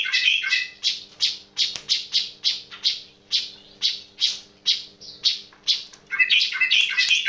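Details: Odd call of a sooty-headed bulbul: a string of rough, clipped chirps about two or three per second, ending in a louder jumbled burst, against a low constant hum.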